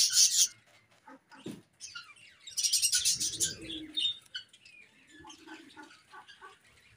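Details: Budgies during pairing: loud scratchy chirp bursts at the start and middle, separated by quieter warbled notes and a few clicks, with a low rumble near the middle.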